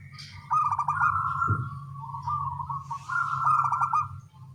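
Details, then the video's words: Local zebra doves calling back and forth in the morning: steady low purring coo phrases with trilled stutters, overlapping as birds answer each other, over a constant low background hum and a brief thump. "Perkutut lokal suara kecil gacor pagi hari bersahutan"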